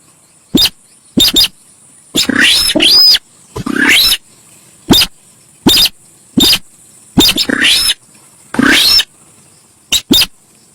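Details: Javan pied starling in busy, noisy song used for luring: rapid sequence of short sharp chips and longer rasping, chattering phrases with occasional pure whistles, irregular rhythm, over a steady high hiss.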